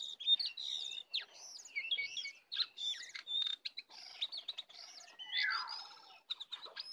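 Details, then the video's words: Wild and caged sooty-headed bulbuls clashing in song, delivered full of 'isian' phrases: a dense run of high, sharp twittered notes and quick up-and-down flourishes, with a longer falling slur near the end. "pertarungan sengit antara Jongkangan liar vs jongkangan sangkar, full isian"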